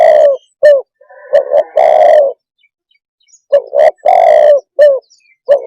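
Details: Spotted dove repeating its soft, throaty coo pattern: two quick notes, then a long drawn coo. Faint high twitters from other birds sound in the gaps.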